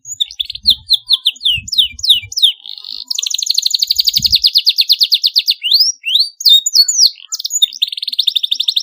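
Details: Canary singing to stimulate young birds learning their song: high, fast warbling trills interspersed with swooping chirps, with occasional low thuds.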